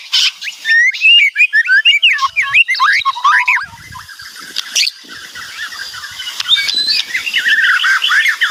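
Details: Loud white-rumped shama song: a rapid run of steep whistled sweeps and chirps, then softer, faster twittering phrases continuing to the end.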